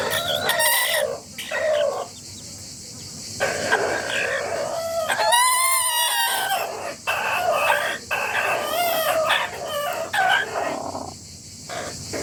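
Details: Family of roosters making noise together: a loud ringing cock-a-doodle-doo crow in the middle, surrounded by constant overlapping clucks, squawks and shorter calls from several chickens at once.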